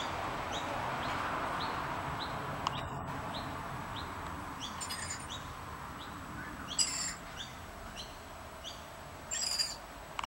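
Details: Three rainbow lorikeets feeding on bread crumbs on the ground. Harsh, screechy bursts come at irregular intervals over a steady series of thin, high chirps, with a constant low rumble of traffic underneath.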